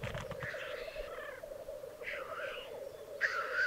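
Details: Black grouse males displaying at a lek in the Piedmont Alps, Italy, 2022: low bubbling rookoo continues under soft hissing notes, with a brief low rumble at the start.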